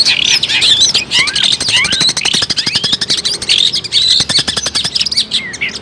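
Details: Long-tailed shrike singing actively, offered as a trapping lure. Dense, continuous high chatter of sweeping whistles and short slurred notes, threaded with rapid dry clicking ticks throughout.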